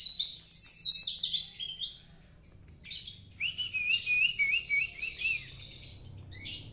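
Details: Lively singing from a mountain white-eye of the dagbal kintamani type: loud high twittering flourish, softer chatter, then a quick series of lower rising chirps and scattered thin notes.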